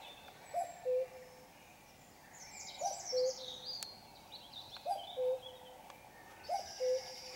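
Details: Common cuckoo at 5 a.m. on a Sunday morning in darkness, giving four spaced cu-coo phrases, a higher note then a lower held one, about two seconds apart, over a chorus of thin high birdsong.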